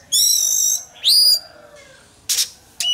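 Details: Oriental magpie-robin in contest singing practice, giving a long, pure, steady whistle followed by a rising slurred whistle, then two brief harsh rasping notes.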